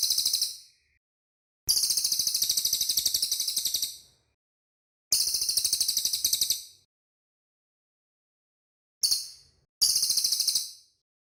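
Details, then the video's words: Cililin bird song recorded cleanly for cage-bird training: high, rattling trills in bursts of one to two seconds, repeated irregularly with silent pauses between them. "BURUNG CILILIN SUARA MANTAP, BERSIH, DAN JELAS"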